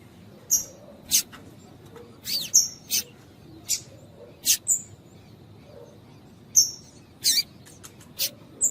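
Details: Female double-collared seedeater (coleiro piadeira) calling to stimulate and warm up a male; sharp, very high clicking chips and short buzzy notes given singly or in pairs at irregular intervals over a faint low hum.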